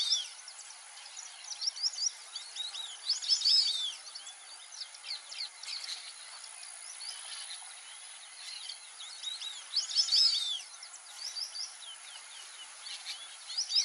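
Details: White-faced whistling ducks in the Pantanal give thin, high whistled notes in repeated bursts, with several birds overlapping and louder peaks about every seven seconds, over a steady high insect hum.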